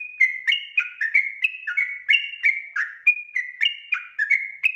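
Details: Yellow-vented bulbul, a lively trucuk voice used as a lure to prompt untrained birds to sing; a busy, continuous chatter of bright, slurred whistles in quick alternating high and low notes, with faint clicks between them.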